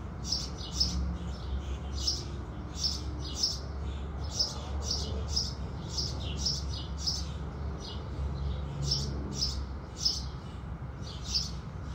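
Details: House sparrows greeting the rising sun with a steady stream of sharp high chirps, several birds overlapping, a deep low hum throughout.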